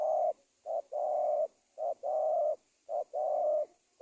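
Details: Spotted dove lure call for trapping wild forest doves: a short coo then a long sustained low coo, the pair repeated three times at a steady pace over a faint high background hiss.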